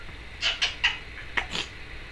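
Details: Pet female Timneh African grey parrot chattering indoors: a quick run of five or six short clicky chirps and pops over about a second and a half, fairly soft, with low room hiss.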